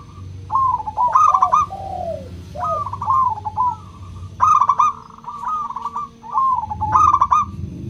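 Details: Local zebra dove with a clear, ringing voice, played to encourage reluctant doves to sing: repeated rapid-note coo phrases with held tones between, some slurred falling coos, and a low background rumble.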